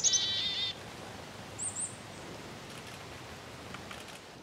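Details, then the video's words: Black-capped chickadee giving a call: two quick high slurred notes, then a buzzy, harmonic-rich dee note held for about half a second. A pair of high thin notes follows after a pause, over quiet outdoor background. "Chickadee - dee - dee - dee"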